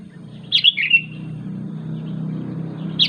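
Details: Sooty-headed bulbul calling for its companions: one brief bubbly phrase of two or three descending notes, then quiet with low rumbling background noise, and another note starting at the end.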